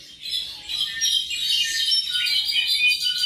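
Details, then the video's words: Tropical mockingbird of about seven months giving a dense, high, run-together twittering warble with thin whistled notes, steady throughout. "Cenzontle tropical (mimus gilvus)"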